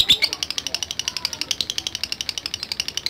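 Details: Lovebird answering a lure recording with ngetik chatter: a fast, even train of sharp, high, clicking chirps that keeps going without a break.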